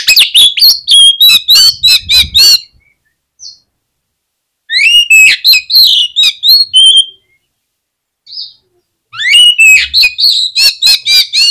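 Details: Oriental magpie-robin singing as a lure to make other magpie-robins sing; rapid bursts of bright, varied whistled and chattering notes, about two and a half seconds each, separated by pauses with single short notes.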